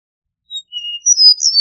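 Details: Eastern meadowlark singing a clear whistled phrase: a short high note, then a long level slurred whistle, followed by a rising and descending run of higher notes in a clean, silent background.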